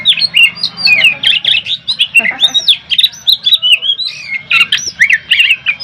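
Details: Competition Oriental magpie-robin, poci variety, in a fiery ngobra-style performance that angers rivals: harsh, scratchy chattering notes mixed with quick whistled slurs, delivered in rapid, pulsing bursts several times a second.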